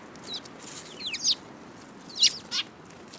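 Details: March 2018 recording of a group of sparrows: clusters of quick, bright chirps in two bursts about a second apart, some notes doubled, with a faint hiss behind.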